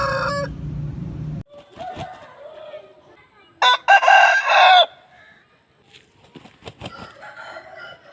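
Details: An Aseel rooster gives one loud, rough crow about a second long. It stands out against a noisy background with a low hum at first, then clucks, clatter and murmuring sounds.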